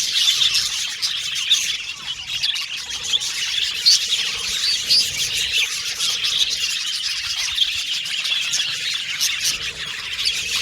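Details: Several pet budgerigars singing and chirping at once, producing a steady wash of quick twittering notes with short whistled chirps rising above the busy chatter.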